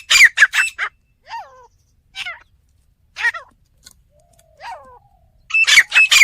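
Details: Fighting partridge in a village, giving short bursts of loud, grating notes at the start and the end. In between come soft, thin whistles that bend downward.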